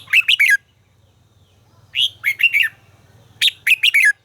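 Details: Red-whiskered bulbul singing during voice training: three short bursts of four or five quick, bright warbled notes, each slurring downward, spaced by about a second and a half of quiet, with a faint low hum beneath.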